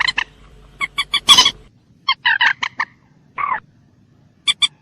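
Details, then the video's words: Common moorhen, calls in a loud series of short, harsh, clucking notes, some doubled, with a longer grating burst near the start and a drawn-out croak later; quiet background. "ডুংকোর পাখির ডাক / ডুংখোর পাখির স্পেশাল ডাক / Common Moorhen bird call"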